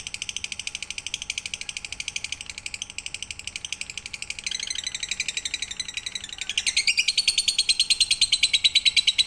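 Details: Lovebird song in full pigter style for night training: a sustained, buzzy high trill of very rapid pulses that grows louder and denser toward the end.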